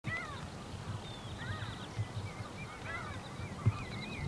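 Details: Lesser black-backed gulls (graellsii) at Uitkerkse Polder, Belgium, in May 2016 give overlapping mewing, slurred cries, rising and falling, several birds at once over a steady low rumble of wind or surf.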